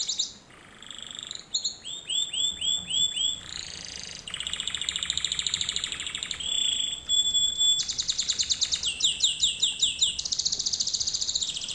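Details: Canary singing in a lesson for young canaries to learn from; varied high tours of repeated swooping notes, a steady whistled tone, then rapid rattling trills that quicken toward the end.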